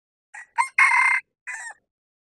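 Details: A male red junglefowl, used as a lure for wild birds in hilltop bamboo forest, crows in four parts: a soft opening, a sharper rising note, a long loud held note, then a short falling ending.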